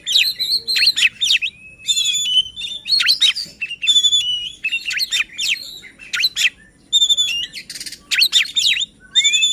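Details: Kacer, or white-rumped shama, singing to rouse other shamas and coax reluctant singers; varied phrases of clear whistles, steep down-slurred sweeps and buzzy trills come in quick bursts with brief gaps between them.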